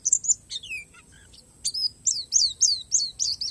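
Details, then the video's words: High-pitched Palas Borneo Oriental white-eye song with natural fill: a few drawn-out downslurred whistles, a short pause, then a quick regular run of bright, sweeping chirps. "SUARA PLECI PALAS BORNEO"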